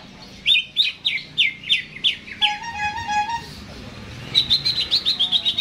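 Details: Caged greater green leafbird singing before being hung up: sharp repeated chirps, a low steady buzzing trill in the middle, then a quick burst of high bright notes.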